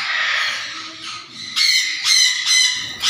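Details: Black-capped conure giving harsh, raspy squawks, several loud grating bursts in quick succession after a softer, hoarse opening call; no other clear sounds.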